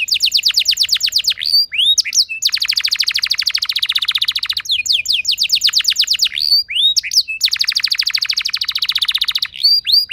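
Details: Canary song played as a lure to set other canaries singing: fast trilled rolls of rapid repeated high notes, broken by short sweeping whistles, in long continuous bursts.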